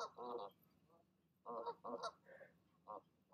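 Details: Evening goose calling as a mother talks her goslings into leaping from the nest: drawn-out nasal honks in pairs, with a higher, thinner note and a short final honk.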